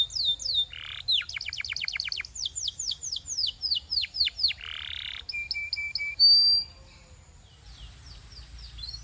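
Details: Canary training song: fast trills of downward-sweeping whistled notes, a few seconds of rolling tours, then a short buzzy rattle, a sustained high pure whistle, and fading soft twitters at the end.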